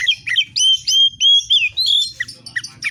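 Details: Oriental magpie-robin delivering 'fighter' song: a series of clear, slurred whistles, each falling or rising in pitch, separated by short gaps, then ending in quick scratchy chips.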